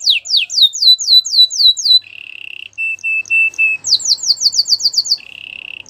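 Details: Belgian canary song with fast repeated down-swept whistles, then a low buzzy roll broken into short steady bursts, then another rapid run of swooping notes and a final rattle.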